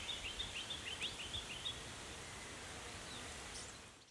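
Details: An adult male crested shrike-tit (Falcunculus frontatus frontatus) at a small pond in very warm March weather, Capertee Valley, NSW, gives a quick run of about ten thin, high, clipped notes in under two seconds, over soft rustling and outdoor hiss.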